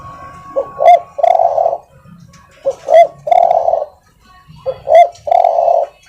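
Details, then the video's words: Soft, mellow song of a spotted dove, used for training other birds. Three clean phrases, each a brief note and a sliding upslur followed by a drawn-out coo, spaced about two seconds apart in quiet surroundings. "tekukur suara empuk masteran ampuh"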